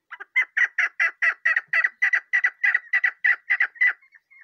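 A young chukar partridge gives a quick run of about fifteen harsh, chuckling notes, three or four each second, over a thin steady whistle.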